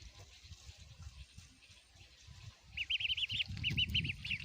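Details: Baby ducks eating food: low pecking and rustling noises, then from midway a run of high, thin, rising-falling peeps repeated several times a second.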